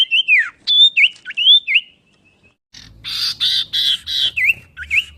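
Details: Common iora whistling in a chattering song variation: looping whistled notes dipping and rising, a pause, then harsher buzzy bursts mixed with downslurred whistles and faint low background rumble.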